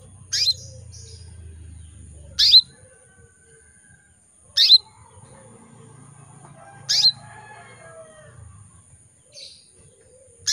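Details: A breeding-condition female canary calling males repeats a sharp, downward-sliding chirp about every two and a half seconds, with five calls in all. A low hum and soft background murmur are present.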